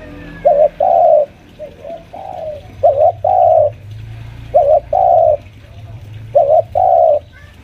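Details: Five-year-old spotted dove lure kept at home, pressing a rival, repeats a two-note coo, short then long and steady, about every two seconds, interspersed with faint soft coos and a low rumbling background.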